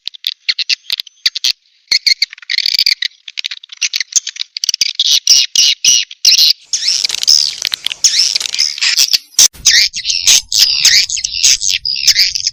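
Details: Swiftlet response call, SP Cina style: dense, continuous high twittering and squeaky chatter, broken by quick clicks, running almost without pause through the middle before turning into choppier chirps near the end.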